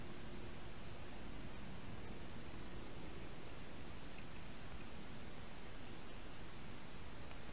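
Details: Constant loud broadband hiss like a stream or static fills the whole recording, with no calls.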